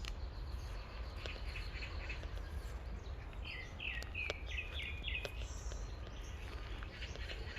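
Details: An unidentified bird in a quiet forest off a walking path in Children's Grand Park gives a quick series of short, clear whistled notes, some slurred, over a strong low rumble of wind or distant traffic.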